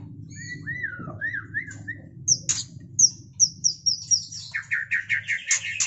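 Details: White-rumped shama mating, looping slurred whistles followed by sharp high notes repeated about twice a second and a quick, dense chattering run at the end.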